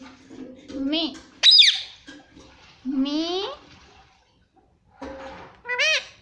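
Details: Talking ringneck parrot repeating 'mommy': voiced, swooping word-like syllables broken by one piercing high shriek, then a pause and two more quick two-part words.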